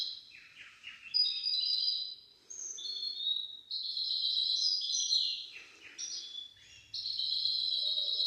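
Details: Hybrid of goldfinch and canary in full song, recorded to teach young goldfinches and canaries. Lively bursts of high, tinkling trills and chirps alternate with quick descending notes. There are brief gaps between the phrases.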